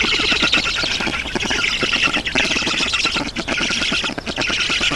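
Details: Black storks at an Estonian nest on 7 June 2019, 11:03, during a water delivery. Unbroken, grating squawking with rapid ticking pulses that dips briefly in loudness toward the end.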